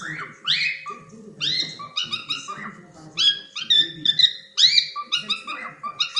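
A cockatiel gives a rapid run of bright, harmonic chirps and rising whistled notes, about two per second, over faint indoor voices.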